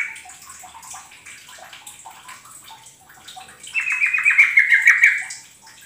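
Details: Yellow-vented bulbul song used as a lure for kept birds: soft scattered chirps at first, then a loud, fast rattling trill that slides slightly downward for over a second, with a watery background hiss.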